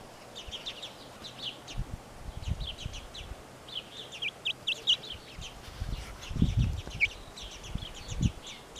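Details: Brahma chicks peeping: many short, high chirps repeated in quick irregular bursts throughout, with soft low thumps and rustling underneath.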